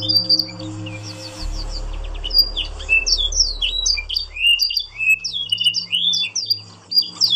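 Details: Yorkshire canary training song for other canaries: short rapid trill bursts followed by looping swooped whistles, brief pauses between phrases, a low rumbling hum and buzz in the background.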